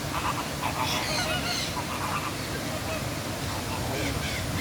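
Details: A Scarlet Macaw at Bird Paradise, Singapore, gives harsh, raspy squawks in short bursts about every half second, over a steady background hum and faint voices.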